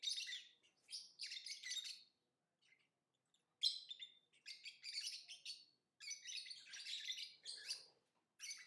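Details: Lovebird song and chirping. Dense, scratchy, high chatter runs in longer bouts of one to two seconds, with brief pauses between them.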